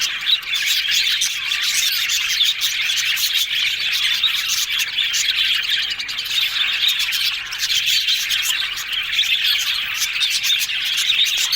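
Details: Several yellow budgies chattering happily: an unbroken, busy mix of warbles, chirps and scratchy squeaks from many birds at once, holding an even loudness over about eleven seconds.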